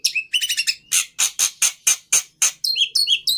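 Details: Black-winged myna (jalak putih) song of loud, harsh squawking notes repeated roughly four times a second, opening and closing with buzzy, stepped whistled phrases; faint music in the background.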